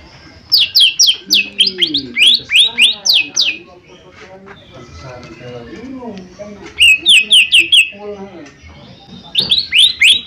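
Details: Lesser green leafbird lure song used to prompt other birds to answer: fast series of bright down-slurred chirps in bursts of five to eight, separated by quieter lower warbled phrases, repeating several times.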